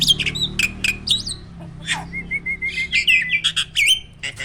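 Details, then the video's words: Caged contest starling with loud 'shot' song: sharp harsh bursts and clicks open, then a fast string of about ten short whistled notes rising into buzzy phrases. "SPEED TEMBAKAN LANTANG"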